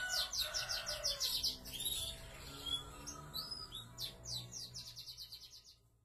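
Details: Caged canaries of the YS Foi and F1 YS types, described as big-bodied and in full song, deliver fast rolling trills of rapid repeated high notes, then swooping whistles and a second trill that fades toward the end.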